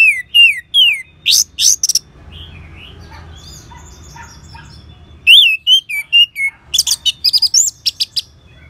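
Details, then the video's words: Orange-headed thrush song used as a training sound to draw out singing in other birds: loud, varied whistled phrases, slurred rising and falling notes with sharp chirps in quick bursts, separated by a brief quieter stretch. "ANIS MERAH SAUARANYA MANTAP 99% SEBAGAI MASTERAN DAN PANCINGAN BURUNG NGEPLONG"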